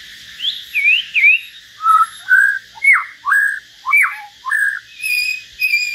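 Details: Common hill myna and white-rumped shama trading solo song: a steady series of about ten short whistled phrases, each sharply up- or down-slurred, delivered roughly every half second, with high thin overtones near the end.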